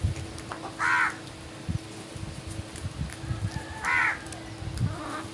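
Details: Crow in the morning giving two harsh, hoarse caws about three seconds apart, over a steady low rumble of background noise.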